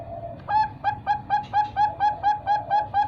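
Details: A 3-month-old Bangkok-type zebra dove (perkutut) chick from a bird farm gives a quick, even run of soft, mellow coos, about four a second, each a short rounded note at steady pitch.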